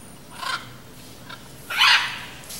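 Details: A flock of Blue-and-yellow macaws eating fruits in an Imperial Palm in the Brazilian countryside gives harsh, raucous squawks: two brief rasping notes, then one louder, longer screech near the end, over a quiet background.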